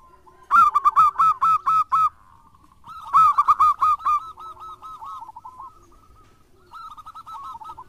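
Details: Local zebra dove from Indonesia singing as a lure bird. It gives loud, fast trains of short rolling coos, about seven notes per burst, in repeated phrases with fainter trailing notes between them.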